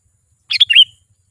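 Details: Sooty-headed bulbul giving a lively song meant to attract wild bulbuls: three or four rapid, clear notes, then a longer slurred whistle trailing off, all in one short burst against silence.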